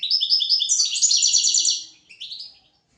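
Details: European goldfinch song recorded to tutor young goldfinches and canaries: rapid liquid twittering phrases with fast trills, ending in a short separate burst of high chirps before quiet.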